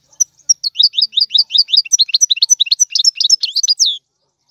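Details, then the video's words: A European goldfinch sings a tiwawati song, a steady four-second run of rapid, liquid, downslurred chirps, about two or three per second, then silence. "تغريد الحسون طيواواطي"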